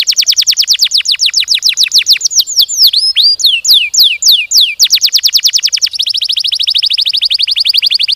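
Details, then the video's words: Canary in full song meant to stimulate other canaries: fast runs of descending whistled sweeps, a stretch of slower varied swooping notes, then a rapid high rolling trill to the end. "Burung kenari gacor ngerol ngedur panjang, Suara Kenari gacor speed rapat untuk pancingan kenari"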